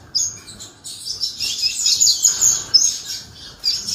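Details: A canary's song builds from scattered high chirps into a long, rich run of rapid trills and twitters, then pauses and restarts.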